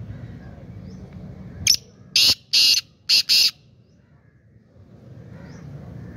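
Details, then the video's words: A black francolin gives one harsh, grating phrase of five rasping notes within two seconds, the later notes longer and louder, with a quiet background hum before and after. "Kala teetar ki awaz, black francolin voice"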